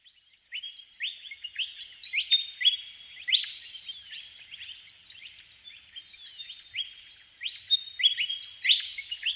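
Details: Willie wagtail giving a fast, continuous chatter of bright rising slurred notes, several per second, some seeming to overlap, in a quiet outdoor setting with no other clear sounds.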